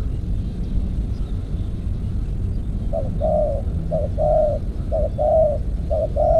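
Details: Spotted dove kept as a trapping decoy starts cooing after three seconds of rumbling noise, giving four short-long low coos about one per second.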